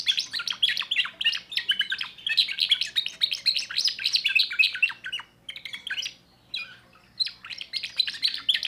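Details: Timbrado canary, young bird of 2024, delivering quick rattling trills of high chirps. The bird pauses briefly around the middle, then resumes with short whistled notes and further rapid phrases.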